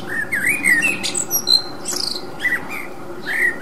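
A common blackbird sings short, mellow fluted phrases that swoop up and down, each ending in thin, squeaky high twitters, over a soft background hiss.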